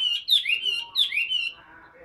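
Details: Two loud slurred whistles, each starting with a sharp high accent and gliding down, from a tame, hand-carried caged Chinese hwamei described as a big, prolific singer; faint quiet after.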